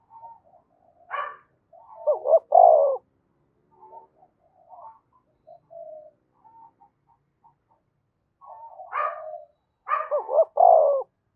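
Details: Spotted dove from Dong Nai, Vietnam, giving urging coos meant to rouse decoy birds: two low rolling coo phrases about eight seconds apart, each preceded by harsh higher bursts, with soft scattered notes in between.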